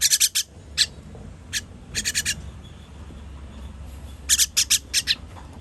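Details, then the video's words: Young birds being fed on 21 June 2023 produce harsh, hissing begging notes, first a dense cluster, then single rasps, then two more rapid clusters. "Baby bird baby bird feeding"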